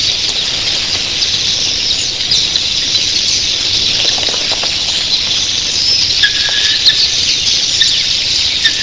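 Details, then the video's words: Red-billed queleas in a flock of thousands in the early morning: a dense, unbroken wall of high, hissing chatter with a few sharper squeaks and short whistled notes near the end. "RED BILLED QUELEAS EARLY MORNING"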